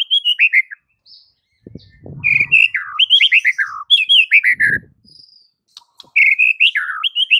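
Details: White-rumped shama master song used to coax silent birds into singing: repeated descending whistled phrases and quick chirps, with brief low rustling noises between phrases.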